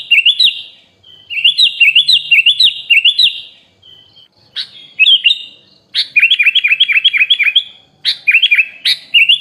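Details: Training recording of a sooty-headed bulbul in rich fill-in song style: rapid series of liquid, bouncing whistled notes in looping phrases, several bursts separated by brief gaps, no background noise.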